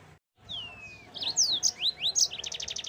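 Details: Yellow-fronted canary song used to train kept birds: a drawn-out falling whistle followed by quick buzzy upward and downward slurs and a fast trill of repeated high notes.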